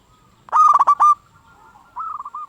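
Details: Local zebra dove singing to draw replies from other zebra doves: one loud phrase of four or five quick hard coos, then a softer rolling trilled coo after a short gap.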